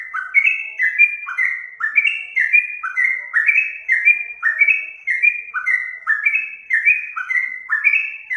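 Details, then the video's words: Trucuk singing a steady chain of fluty whistled phrases, each a short falling note followed by a higher one, repeated continuously over eight seconds. The recording is used to teach other songbirds. "Masteran burung trucuk"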